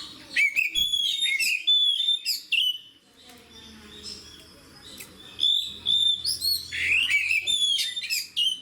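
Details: Fighter-style song of an oriental magpie-robin (kacer), described as one that provokes other birds. Clear whistled notes and chirps come in lively bursts, with a quieter pause mid-clip before a second burst of loud varied phrases.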